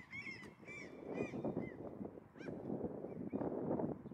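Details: Common gull, 20 July 2023, calling near a common starling foraging on grass: repeated high, nasal, mewing cries with clear harmonics, several in quick succession, over loud gusting wind.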